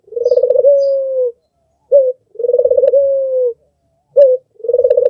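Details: Red-eyed albino Barbary dove repeating a rolled, pulsating purr that melts into a level, softly falling coo, each separated by a short sharp note, roughly two-second cycles.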